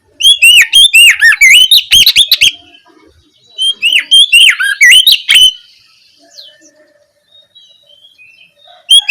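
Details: Oriental magpie-robin in the ngeplong style, afternoon, a lure that urges other magpie-robins to respond. Two dense phrases of sharp, bright whistles and swooping notes, then near silence with faint chirps before another loud note cuts in.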